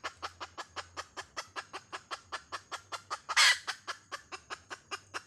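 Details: Steady series of clipped hen clucks repeated roughly four times a second, interrupted by a brief, very loud rasping burst before the rhythm resumes.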